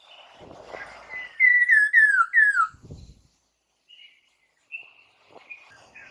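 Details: Lure song of a white-crested laughingthrush, played so kept birds reply: a run of five loud, looping, downward-slurred whistles in about a second and a half, over a low murmur, followed by a knock and thin high whistles.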